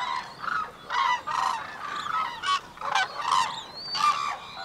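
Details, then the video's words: White-naped crane pair in courtship, the female giving fast high-pitched short notes and the male answering with longer, lower pulsed sounds; loud honking bursts repeated about every half second to second, overlapping trumpeting phrases with a few thin whistles. "White-naped Cranes Call to Each Other in Impressive Courtship Behavior"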